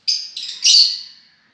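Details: A single lovebird gives one shrill, slightly buzzy screech that rises in loudness, then trails off over about a second.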